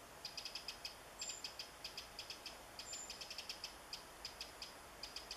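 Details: Eurasian wren foraging for insects in woods, July 2014, repeats rapid high dry ticks in short clusters throughout, with two brief thin whistles from another source above.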